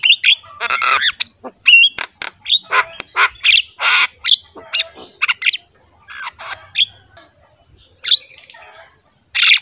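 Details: Black-winged myna in lively full song, used as a master recording to train pet mynas: a dense run of harsh squawks, broadband rasps and sharp chirps in quick bursts, with brief pauses between phrases.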